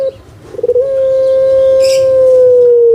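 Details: Kept spotted dove of the puter pelung type from Java, Indonesia, with a big build and booming voice. After a few soft stutters it gives one long, steady, resonant coo that drops at the end. A brief hiss comes midway.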